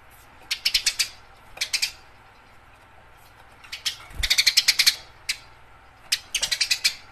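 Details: Fighting Eurasian tree sparrow, a training recording for competition birds: scattered pairs of sharp chirps early on, building to an intense run of rapid harsh notes, then another brisk volley.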